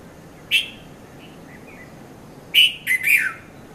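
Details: Early-morning red-vented bulbul (Konda Kurulla) at Mount Lavinia, Sri Lanka, 5:30–5:40 a.m., recorded with a Nikon Coolpix P510: one sharp note, a pause with faint soft notes, then a fast burst of three liquid, falling notes.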